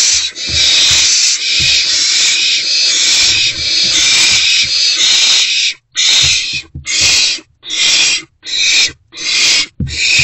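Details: Owl chick inside a nest box after midnight on 16 March 2024, gulping down a freshly delivered rodent: a long unbroken rasping hiss for six seconds, then five shorter hissing bursts separated by brief silences.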